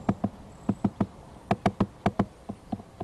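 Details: Near a pond on 7 April 2012, a woodpecker hammers loudly on a nest tree near the microphone: sharp, hollow knocks, often in pairs, about four blows a second with short pauses between bursts.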